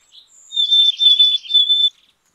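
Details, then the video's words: Black-capped chickadee, a small North American songbird of deciduous and mixed forests, giving a loud run of three buzzy, raspy dee notes over a steady high whistled tone, lasting just over a second, then silence. "Black capped Chickadee Song ! Black capped Chickadee Sound ! Black capped Chickadee Call !"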